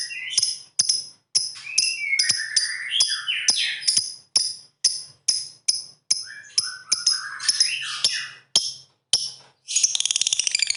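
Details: Lovebird calling in 'ngetik ngekek' style to set off rival birds; quick sharp ticks repeated steadily with lower sliding squeaky notes woven through, ending in a dense shrill trill.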